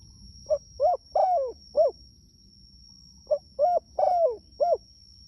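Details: Spotted dove calling its companions: two four-note cooing phrases, a short note, a rounded coo, a longer falling coo and a final arched one, over a low background rumble.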